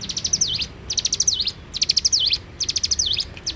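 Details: Repeated morning song of a bar-winged prinia: high ticking bursts, each finishing in a swift down-up whistle, delivered at a steady pace of about one phrase per second.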